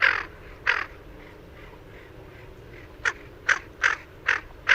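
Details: Greater Scaup: harsh, raspy quacks, two early and then five in quick, uneven succession, over faint hiss. It was presented as the male's courtship sound, but is thought more likely to be the hen's generic quack.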